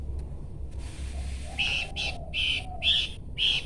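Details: After a quiet start, a Horsfield's babbler gives five loud, clear notes spaced roughly half a second apart, with soft low background noise.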